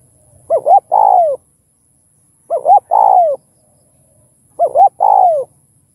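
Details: Spotted dove calling to stir other doves: three identical coo phrases about two seconds apart, each two short rising hoots and a longer drawn-out coo dropping at the end.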